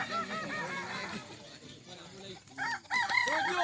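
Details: Several Kukuak balenggek roosters crow at a contest held at Sirukam dairy farm, Solok regency, with broken, stepped crows at first, a quieter stretch in the middle, then loud overlapping crowing again, with voices behind.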